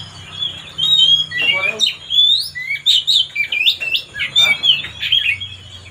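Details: Oriental magpie-robin singing to rile another bird into excitement: loud, varied whistles with rising and falling slurs and quick trills, phrases following each other almost without pause over a faint low hum.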